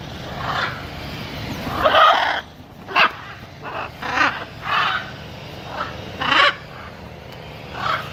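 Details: Macaw calls: one long, rough, screeching squawk followed by a string of shorter harsh croaks spaced about a second apart, over a low steady background rumble.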